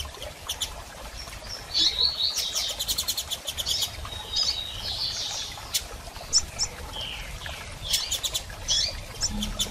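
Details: Calling female double-collared seedeater, meant to encourage a male into song after moult: quick runs of sharp high ticks alternating with thin slurred chirps and scattered single notes, irregular spacing, faint low background rumble.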